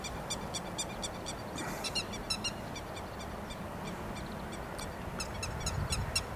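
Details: Grey-headed lapwing calling over rice paddies, recorded 13 May 2021, giving quick runs of sharp, piercing notes repeated about three times a second in loose bouts, with steady rural background noise.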